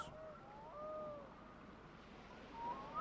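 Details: Black-throated diver (loon) giving desolate, ringing, curlew-like territorial calls, evocative of summer evenings on Scottish lochs: long, mournful wailing notes that slide up and down in pitch over a low background hum.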